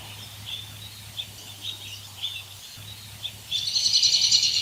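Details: Woodland birdsong: soft scattered chirps at first, then a loud, fast, high-pitched trill filling the last second, with a low hum in the background.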